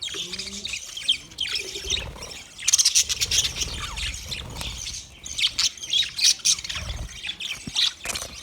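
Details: Budgerigar singing: dense, continuous chattering warble of rapid high chirps and squawky notes, with brief low tones near the start.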